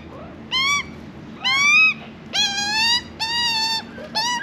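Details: Australian magpie youngster, very hungry, begging during hand-feeding in Australia: harsh, buzzy squawks with strong overtones, given in uneven bursts roughly every second, some held longer and steadier in pitch.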